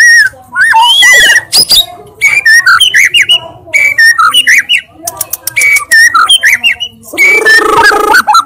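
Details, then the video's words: White-rumped shama singing loudly with a jumble of whistled slurs, sharp clicks and buzzy notes, delivered in dense bursts with brief pauses between phrases. "MURAI BATU GACOR FULL ISIAN TEMBAKAN KENCANG, KICAUAN YANG SANGAT MENGGAIRAH KAN MURAI BATU ISTIMEWA"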